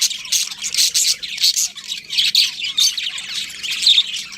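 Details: A flock of pet budgerigars chatters with bright, high squeaky chirps and scratchy warbling in quick pulses, over a faint steady hum.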